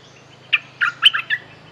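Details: Streak-eared bulbul (Pycnonotus conradi), a territorial bird, sings a quick burst of four or five bright, chirpy notes in about a second over a faint steady low hum; a song used as a lure call.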